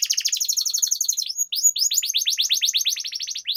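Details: Canary master song played to coax canaries into long rolling song: a rapid high buzzy trill, then a long steady series of quick downward-sweeping whistled notes repeated several times a second.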